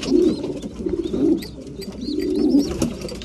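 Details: Breeding pigeons cooing at mealtime: two loud rounds of deep, vibrating coos separated by a softer lull, with short high squeaky chirps in between.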